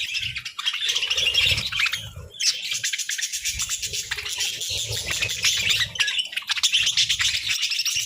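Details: Several pet budgerigars sunbathing, giving dense, continuous high chirps and chattering warbles with scratchy notes, plus low thumps and wing flutters throughout.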